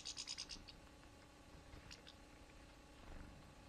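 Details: One of two European goldfinches (Carduelis carduelis) gives a quick burst of about six bright, high tinkling notes, then falls quiet over faint background hiss and scratching.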